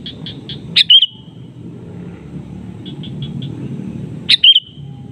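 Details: Kutilang (sooty-headed bulbul) calling back and forth with a rival. Soft staccato notes lead into a loud, fluttering chirp; another quiet run of short notes follows before a second loud chirp near the end, over continuous low-pitched background noise.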